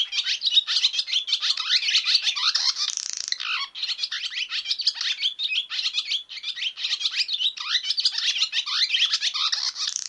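Barn swallow twittering in a fast, unbroken stream of high chirps, squeaky notes and scratchy trills, with no other sounds.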